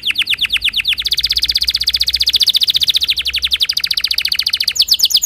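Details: Long, rapid rolling trill from a Timbrado canary, with notes repeated about three times a second and carrying on steadily. It ends in brief high sweeping whistles.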